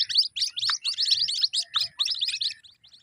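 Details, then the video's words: Brief chorus of white-breasted waterhen chicks: high, thin, clustered chirps in quick pulses, with a couple of lower falling squeaks, fading toward the end. "Jal Murgi k bacho ki awaz|جل مرغی کے بچوں کی آواز"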